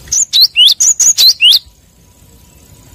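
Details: Cinereous tit in the wild, call used to draw rivals: a short burst of about seven crisp, high notes, some sliding upward as whistles, followed by quiet.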